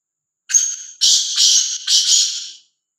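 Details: A black francolin, a free-roaming and fearless bird, delivers its call: a brief high whistle-like note, then three rasping, hoarse bursts rising and falling. The phrase lasts about two seconds against a quiet background.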